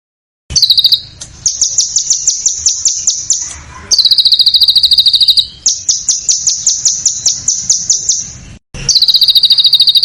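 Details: Contest-bird tutoring recording in a dense, harsh style: a steady, very fast high trill with a metallic, chattering quality, broken into several long bursts separated by short gaps.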